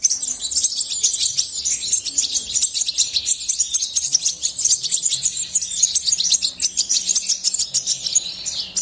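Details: A European goldfinch pours out a steady, rapid warble of sharp high chips and tinkling trills, dense and unbroken, with a faint low hum beneath.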